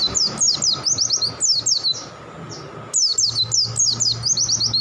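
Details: Oriental white-eye in full song, one of a collection of birds: rapid runs of high, sharply descending chirped notes in two bursts separated by a brief quiet gap, with a faint steady hum beneath.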